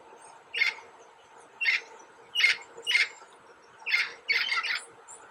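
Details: Red-lored amazon, the commonest parrot around Gamboa, along the Chagres river in Panama's rainforest. It gives harsh, squawking calls, about seven in five seconds, some in quick pairs, over a steady low hum.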